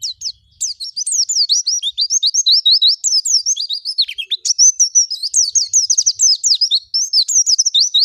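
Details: Oriental white-eye song used to provoke other white-eyes into singing: a continuous rapid chatter of high, thin, twittering notes rising and falling, densely packed with almost no pauses, clean background.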